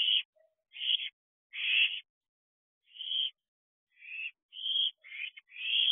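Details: Young owls gathered at a nest box at night, 21 June 2023: separate breathy, rasping hisses spaced irregularly, about eight in six seconds, the later ones closer together and ending in a longer screech.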